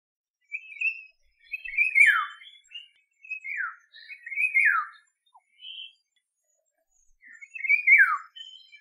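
An African Golden Oriole gives clear, fluty whistled phrases that slur downward, repeated every second or two with short pauses between.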